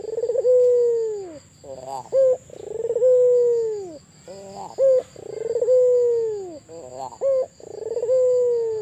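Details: Repeated cooing from an actively calling albino Barbary dove: four cycles of a burbling trill leading into a long smooth falling coo, each punctuated by a short upturned note, roughly every two and a half seconds; faint high hum throughout.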